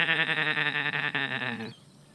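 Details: At Coombabah Lakelands Conservation Area wetland, Gold Coast, Australia, an Australasian darter gives a harsh, nasal, rapidly pulsed rattle, almost bleat-like, lasting under two seconds before stopping abruptly.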